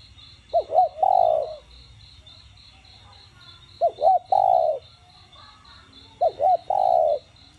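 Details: Spotted dove coo in the đồng gù style, meant to stimulate captive birds to call: three phrases spaced about every three seconds, each two hooked notes and a sustained coo, over a steady high-pitched pulsing chirr.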